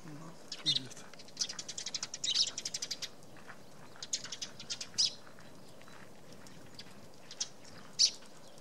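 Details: Eurasian tree sparrow (Passer montanus) at a nest hole in a poplar, Tatyshev Island on the Yenisei, Krasnoyarsk, March 2017, giving short, bright chirps in loose bursts, some doubled, over about eight seconds.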